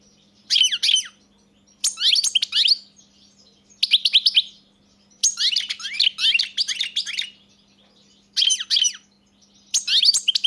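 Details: European goldfinch delivering repeated bursts of fast, tinkling twittered phrases separated by short gaps over about ten seconds, with a faint steady hum.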